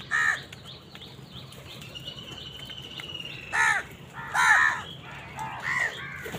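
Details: Crows fighting wild birds for food give raucous, hoarse caws, single and in bursts, roughly every second or two, over steady chirping and twittering from smaller birds.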